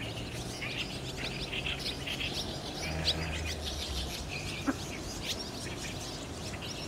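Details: Barn swallows congregating at a roost on a cloudy 30 June 2019, recorded with a DSLR; dense high twittering chirps throughout, a couple of louder sharp clicks, over a low droning background.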